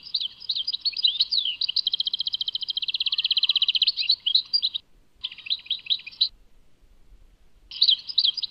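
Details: Goldfinch song from Tadmait: swooping twitters give way to a long, accelerating, even metallic trill, followed by a short chattering phrase, a silence, and a final twittering burst.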